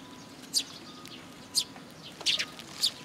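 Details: Eurasian tree sparrows gathering at a feeding spot on a post at a shrine, 26 June 2022: short, sharp high chirps, single and in quick pairs, spaced about half a second to a second apart.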